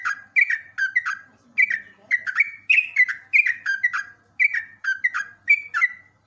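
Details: Busy sooty-headed bulbul song from a long training recording for cage birds: quick bubbly two- and three-note whistled phrases, repeated about every half second, with a faint low murmur in the background.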